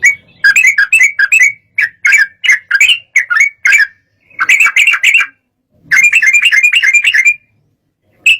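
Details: Yellow-vented bulbul in agitated song that makes rival birds respond: rapid, slightly squawky chirping phrases in repeated bursts with short breaks, closing on a single sharp note.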